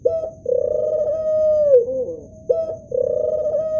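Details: Male Barbary (ring-necked) dove gives low, steady coos, each drawn out over a second or more and ending in a soft downward roll, repeated about every two seconds.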